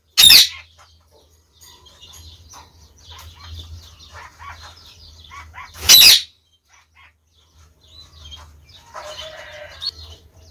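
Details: Female budgerigar waiting for a new companion after killing her previous mate; two loud, harsh, high squawks about six seconds apart, with faint chatter and low hum in between.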